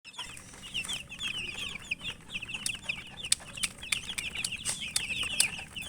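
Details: Chicken chicks chirping while eating: a dense flock of high, short, downslurred peeps overlapping continuously, with sharp pecking clicks scattered throughout.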